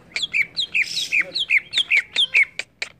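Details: Agitated greater green leafbird song of repeated slurred whistles, each falling in pitch, delivered about four per second with a brief harsh rasp midway.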